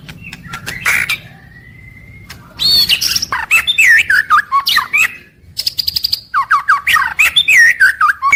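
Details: White-rumped shama song used daily to prompt other shamas to sing: a long thin rising whistle, then fast looping warbled phrases and rattled chips, strong and clear.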